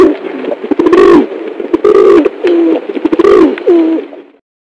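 A dove gives low, throaty coos in a steady rolling series.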